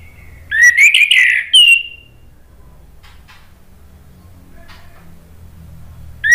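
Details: Orange-headed thrush (anis merah) song used as a lure for other birds to answer: one bright, fluty warbled phrase with sliding whistles lasting about a second and a half, then near-silence with faint background hum.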